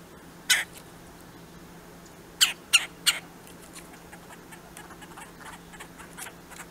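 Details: Two red-bellied woodpeckers: harsh, rolling calls, one single note, then three in quick succession, followed by fainter answering notes over a low steady hum.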